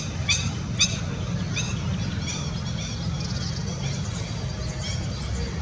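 Lesser whistling ducks give thin, high whistled notes in quick overlapping bursts, suggesting several birds calling, over a steady low rumble of wind or background noise.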